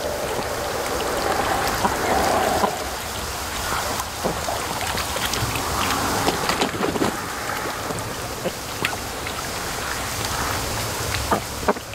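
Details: Steady hissing, rain-like water noise with scattered clicks and small splashes, and no clear animal calls.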